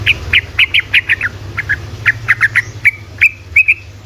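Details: Lure song of a sooty-headed bulbul in rapid 'ropelan' style, for coaxing quiet bulbuls to sing: crisp whistled notes about four per second, sliding slightly downward, ending in a few longer level whistles; low electrical hum throughout.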